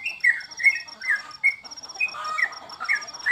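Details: Sooty-headed bulbul, locally trucukan, while bird contests are suspended during the COVID period. Slurred whistled phrases with a brief pause midway, then more downward-bending notes, over a persistent thin high ticking.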